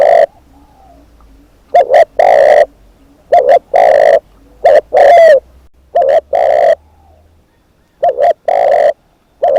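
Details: Decoy spotted dove delivering repeated cooing phrases, short paired notes leading into longer hollow coos, several in a row with brief gaps and a faint low hum beneath.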